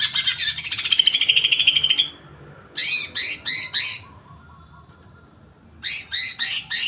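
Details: Greater green leafbird in an agitated mood: a two-second rapid buzzy chatter, then four separate sharp downslurred notes, and after a pause another short burst of similar notes.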